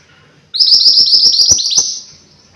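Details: Energetic mountain white-eye singing, suited for training other birds or luring: a rapid chain of sharp, high upslurred notes packed tightly for about a second and a half, ending abruptly with a quiet tail.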